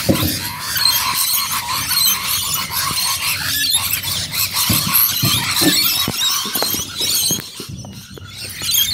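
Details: Rainbow Lorikeets gathering in Bonnyrigg, a flock in full noisy chorus: dense, overlapping shrill screeches and squeals pour out without pause, harsh and high, with brief dips in intensity near the end.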